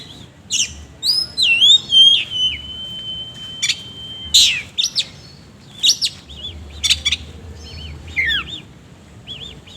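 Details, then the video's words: Oriental magpie-robin in full song, kept bird, with rough, harsh filler phrases: sharp high chirps, twisting whistled notes and one long steady whistle, phrases bursting irregularly over quiet background hum. "BURUNG KACER GACOR NGOBRA ISIAN KASAR"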